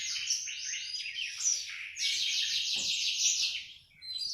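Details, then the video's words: Ngriwik-style singing from a young black-throated canary: dense, quick-fire chattering trills of high repeated notes, briefly pausing mid-way then resuming with an even faster rattling run, ending in a short gap and a final burst. "Paud burung blackhroad rajin bunyi ngriwik"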